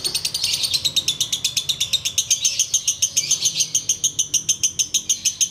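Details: Continuous ngekek chattering from a sooty-headed bulbul: fast, evenly driven high clicks and trills repeated roughly three times a second throughout, bright and dense, over a quiet low background hum.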